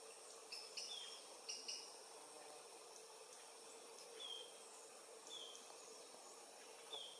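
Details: Adult Paradise jacamar, Galbula dea dea, sex undetermined, near the Comte (Oyak) river, French Guiana, 8 November 2023 at 11:00, singing: thin, high, slightly falling whistled notes, some in quick pairs, spaced irregularly over steady insect droning.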